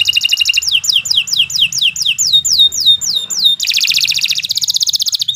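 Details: Canary song as a training master: rapid high notes, then a run of descending whistled swoops repeated about three per second, switching abruptly to a dense, fast rattling trill; low background hum throughout.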